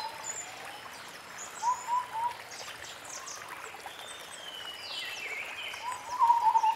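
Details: In forest, a White-browed scimitar babbler delivers two bursts of low piping notes, several seconds apart, while other birds add thin high whistles and chirps in the background.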